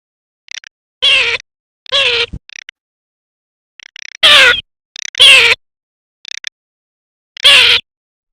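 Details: Garganey, offered as a duck hunting sound, gives loud drawn-out nasal calls at irregular intervals of one to three seconds, with brief soft clicky notes scattered between them.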